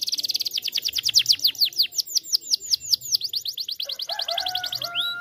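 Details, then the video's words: Canary song used as a lure to get other canaries singing: rapid trills of sharp descending notes, about four per second, then a lower warbled phrase and a brief rising whistle near the end. "Pancingan Kenari plonga plongo Jadi Ikut gacor"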